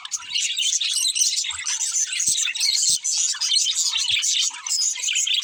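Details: Continuous budgerigar twittering: many thin, rapid chirps and buzzy warbles blend into one lively flock sound, with occasional soft clicks underneath.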